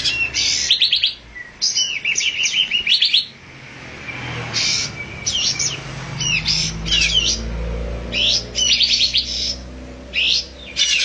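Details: Olive-winged bulbul producing repeated harsh chattering and squawky bursts with a few slurred whistles. Low rumbling background noise is present in the middle.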